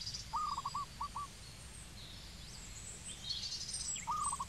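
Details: Cambodian zebra dove calling: a rapid stuttering coo followed by two separate soft notes, then a quiet gap and the next phrase beginning at the end, with thin high chirps of other birds behind.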